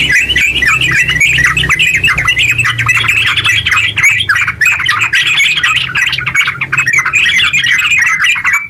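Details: Yellow-vented bulbul in eager, long, rapid song meant to spur other bulbuls into singing. Nearly nine seconds of dense, bubbly chatter, briefly thinning around the fourth second, then resuming at full pace.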